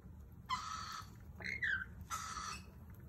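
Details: Lorikeets at a kitchen window: two harsh, broadband screeching calls about half a second long, with a rising then falling whistled note between them, over a steady low hum.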